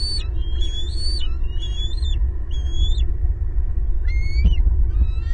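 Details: Loud vocalising from a bald eagle family of four at a big Southwest Florida nest, 18 April 2022, nest camera: a quick series of high whistled chirps, a short pause, then one strong rising squeal, over background rumble.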